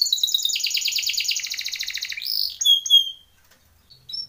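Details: Timbrado canary training song: a fast, rapidly repeated metallic trill for two seconds, then a few high whistled slides and chirps before falling quiet, ending with a faint short note.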